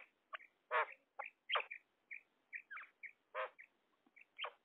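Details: Female common quail calling: loud, harsh, broadband clucking notes given in irregular bursts, mixed with short higher chirps, repeated many times over a few seconds in a quiet setting.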